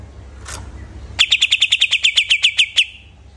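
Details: Greater green leafbird after moulting delivers a brisk string of about fifteen loud, crisp chirps in under two seconds, following a faint brief note.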